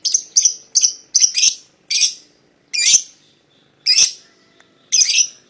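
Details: Paud lovebird pair used to call a rival to sing: loud, high, slightly harsh chirps, at first quick, then slowing to about one per second.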